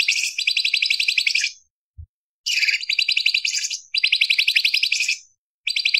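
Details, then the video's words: Light-vented bulbul (cucak cungkok) in a sharp, varied song style (isian variasi) for tutoring other songbirds: long fast rattling trills, about four notes a second, each burst over a second long with short pauses. "Masteran Cucak Cungkok Istimewa ~Isian Variasi - Tajam Pedas For Murai CIjo Kacer Cendet Anis Pleci"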